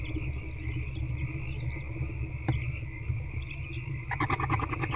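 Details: Nestling barn owls in a nest box being fed by their mother on the evening of 8 February 2024; thin, wavering high twitters early on, a sharp click, then a fast stuttering chitter at the end, all over a steady low drone.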